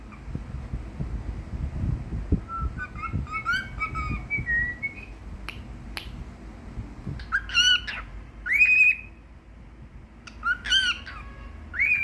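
A cockatiel sings a string of clear whistled notes, some rising, others bending up and down.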